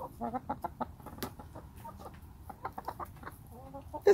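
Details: Backyard hens chattering in their pen while their keeper sits among them: a run of short, clipped clucks in quick bursts, some with a nasal, tonal edge, and a louder squawk at the end; a human voice talks softly nearby.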